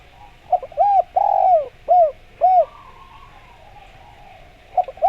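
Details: Spotted dove calling to lure other doves into answering. A rapid series of short, low, rounded coos with one longer drawn note comes first. A brief quieter gap follows, and then two more coos start up.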